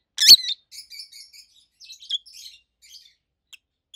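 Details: One strong shrill chirp from a pet peach-faced lovebird pair, followed by a string of softer, thin twittering notes fading away.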